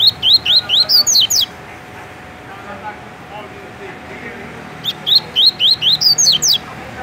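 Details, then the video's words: Two tui-tui phrases from a caged double-collared seedeater in Rio de Janeiro, Brazil: each a fast string of about eight upward-sweeping whistled notes, separated by roughly three seconds of near silence. "Coleiro TUI TUI MUSTANG dando um show de cantoria"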